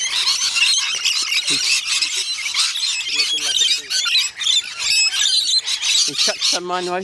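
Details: Rainbow lorikeets at a feeding session at Bungalow Bay Koala Village, Magnetic Island, Queensland, Australia keep up constant shrill, screechy chatter, with people talking over it and a high human squeal near the end.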